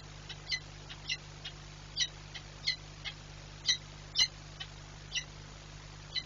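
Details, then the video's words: A female peregrine falcon at Orlen Płock, 15 March 2022, bursts screaming from her nest, probably not reacting to her mate. She gives about a dozen short, harsh, high calls, roughly two each second, over a steady low hum. "sokół wędrowny - Rozkrzyczana"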